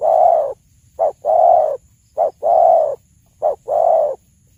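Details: Repeated song of a spotted dove, a lure recording for hunters: a long mellow coo, then a clipped short note and another long coo, cycling regularly at an even, unhurried pace.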